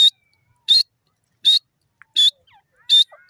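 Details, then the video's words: Grey francolin giving a run of piercing, high whistled notes at a steady pace, roughly one every three-quarters of a second. Faint squeaks sound in the quiet gaps. "titar ki awaj gray teetar wonderful sound"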